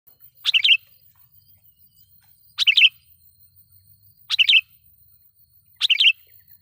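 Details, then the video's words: Loud sooty-headed bulbul lure song meant to provoke wild bulbuls: four short bubbly, chirping phrases, each about a quarter second long, spaced about one and a half to two seconds apart, against silence. "suara pikat KUTILANG GACOR /kutilang suara keras,membuat kutilang liar EMOSI"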